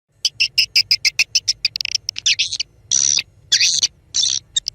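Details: Swiftlet calls played as a lure to draw a flock, made for swiftlet farmers: a quick run of sharp, high chirps about five per second, then harsher buzzy twittering bursts over a faint low hum.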